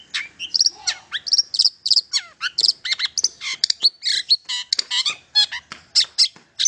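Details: Long-tailed shrike song used to rouse silent shrikes into song: dense, continuous chatter of harsh high chirps, squeaky whistles and sliding notes packed closely together on a quiet background.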